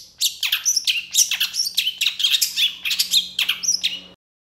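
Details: Long-tailed shrike in emotional, full-on song: a continuous stream of harsh, scratchy, downward-sweeping notes mixed with brief squeaks, over a steady faint hum, ending abruptly.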